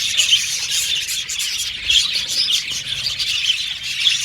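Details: Happy budgies from Australia twittering as a flock, with rapid overlapping chirps and a few sharper whistled squeaks rising above the constant high chatter.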